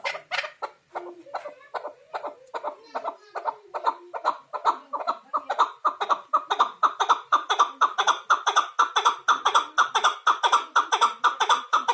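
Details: Chukar partridge call: rapid series of clucking chuck notes, starting uneven and building into a fast, regular, rhythmic chuckle of about two notes a second or more.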